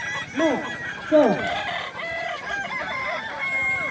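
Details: Balenggek roosters at a crowing competition at Danau Bawah, Solok Regency, on Sunday 6 October 2024. Two loud, sharply falling crowing notes stand out near the start, over a dense, continuous chorus of many other roosters crowing.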